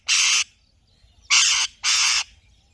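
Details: Alexandrine parakeet calling in three rough, noisy squawks, each roughly a third of a second long, the last two coming close together, with near silence in between.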